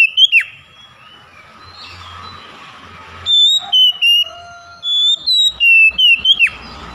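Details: Oriental magpie-robin song for luring silent birds: a swooping slur, a stretch of faint noise, then two runs of clear held whistles stepping downward, the second ending in a sharp plunge.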